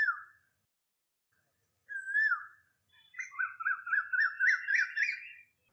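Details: An Asian koel, whose call heralds spring, gives two clear, falling whistles, then a quick run of bubbly notes that climb steadily in pitch, about four per second, with no other sounds.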